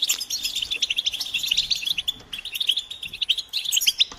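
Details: Mating and readiness calls of a group of European goldfinches, intended to bring a silent male out of silence; quick bright chirps and jingling notes tumble over one another in short bursts.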